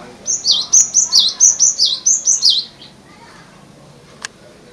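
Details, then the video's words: A cinereous tit in its natural voice sings a rapid run of about ten bright, sweeping two-note phrases, high and ringing, lasting two and a half seconds before a single faint click. "gelatik batu suara asli"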